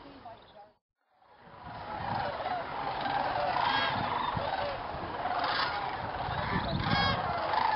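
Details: At dusk on a stopover at Jasper-Pulaski preserve in Indiana, many thousands of sandhill cranes gather in a field before roosting in the swamp, watched by observers. A brief gap gives way to a swelling wall of overlapping trumpeting calls.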